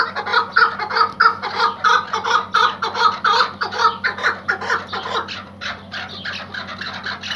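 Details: Iraqi white hunting partridge, a tethered decoy bird, calling in a long run of rapid harsh clucking notes, about ninety per minute, uneven in spacing, with a steady low hum underneath.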